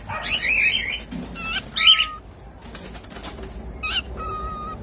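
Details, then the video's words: Pet cockatiel chick, kept indoors, giving a harsh chattering burst, then scattered whistled notes with steady flat tones, with some wing-flapping noise. "SOM DE CALOPSITA CANTANDO"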